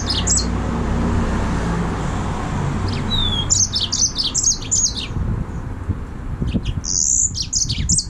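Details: Song of a yellow-fronted canary, or green singing finch: bright high chirps, short trilled bursts and a sustained buzzy note in the second half, set against steady low rumbling background noise.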